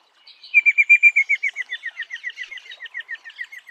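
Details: Eastern rosella in a sustained volley of crisp, ringing notes, about five per second, strongest early and slowly softening and dropping slightly in pitch over three seconds.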